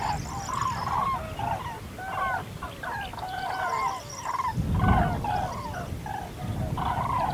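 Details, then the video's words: Common crane (Grus grus) flock calling: overlapping honking, trumpeted notes fill the clip, with a strong low rumble and a short thump near the middle. "Grulla europea (Grus grus) Canto"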